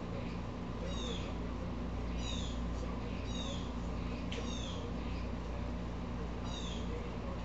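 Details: An upset blue jay repeats coarse, descending harmonic calls about six times, with one sharp click midway and a persistent low-pitched hum underneath; squirrels are also disturbed.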